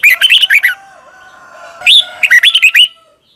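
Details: Two quick warbled phrases follow each other closely, the doubled song of a caged Red-whiskered Bulbul in Thailand, played so other birds can pick it up. A faint hum sits beneath.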